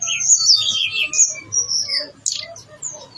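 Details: Blue-winged leafbird in full, lively song with its imitated fill-in phrases: a dense, varied jumble of high whistles, slurs and squeaky notes tumbling together, with a sharp high burst after a brief pause.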